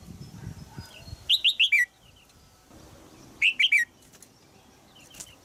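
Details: Caged female red-whiskered bulbul in Thailand, calling to get a young male singing. Two rapid phrases of three to four sharp downslurred chirps about two seconds apart, with soft rustling and faint twitters around.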